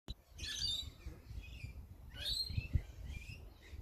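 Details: Rainbow lorikeet feeding on a bottlebrush tree gives two harsh, grating screeches about a second and a half apart, each rough and broad, over a steady low rumble of background noise.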